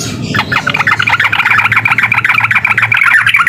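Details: Provoking song of a sooty-headed bulbul, a steady stream of quick, rasping, slightly downslurred notes repeated several times per second without pause, backed by a low droning hum.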